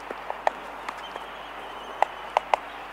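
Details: Laysan albatross colony, mainly clicking: about eight sharp, dry clicks at irregular intervals over three seconds against a soft hiss; sooty terns in the distance and aircraft sounds are also noted for this recording.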